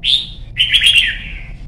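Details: Caged young red-whiskered bulbul from Vietnam in singing practice; a clear high whistle followed by a longer, rolling warbled phrase that slowly falls away.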